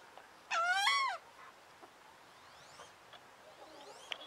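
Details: Angry female wood duck on a winter pond after being moved to another pond: one loud, harsh, rising squeal of about half a second, then fainter thin whistled calls against a quiet background.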